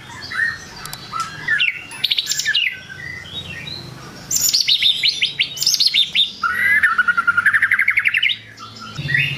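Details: White-rumped shama singing to rile rival birds: a varied song of whistles and fast repeated trills, including a long run of rapid notes rising and falling near the end.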